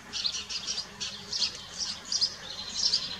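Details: Kestrels at Dohr, 4 June 2015, during feeding after the male delivers a mouse: a steady run of harsh, high screechy notes, roughly one every half second, fairly uneven in timing and loudness.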